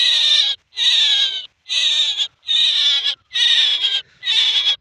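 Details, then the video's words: Repeated rasping squawks from a male common myna: broad, noisy notes about two-thirds of a second each, delivered steadily about once a second with brief silent gaps. "Mynah and talking sound . Maynah birds video l Mynah voice male l Maynah ki awaz"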